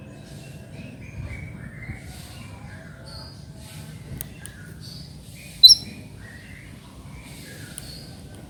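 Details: White-rumped shama; song; lure to prompt another shama to sing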